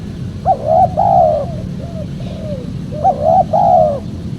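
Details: Spotted dove coos recorded as a lure for wild doves. Two phrases about three seconds apart each have a quick note and two slurred coos, with soft trailing coos between them and low background noise.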